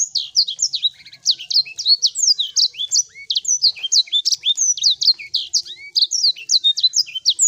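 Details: Sanger bird singing nonstop as a lure to make other birds sing: busy, high-pitched chattering of quick slurred notes, chips and short whistles packed tightly throughout, with no pauses.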